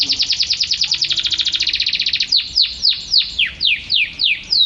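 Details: Caged canary song for training other birds: a fast trill of about twenty rapid notes, then slower loud downward-sweeping whistles repeated roughly every third of a second.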